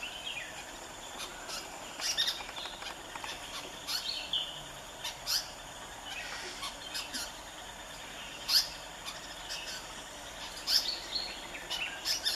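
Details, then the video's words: Grey-headed bulbul in Goa in 2014 gives sharp, irregular chips and brief high notes every second or two, over a steady, thin insect drone. "Grey-headed Bulbul"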